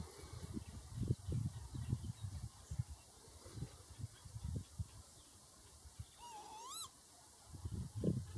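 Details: Lapwing giving a single wheezy, slurred call near the end that dips and then swoops sharply upward, rich in overtones, over constant low rumbling wind or handling noise.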